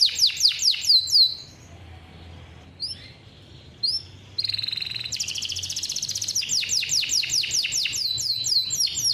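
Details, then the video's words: A captive male canary from a bird farm, a vigorous singer with long rolls used as a model for young canaries, sings a fast train of high, sweeping whistles, pauses, then bursts into a dense buzzy roll and rapid repeated sweeps. "KENARI GACOR NGEROLL PANJANG"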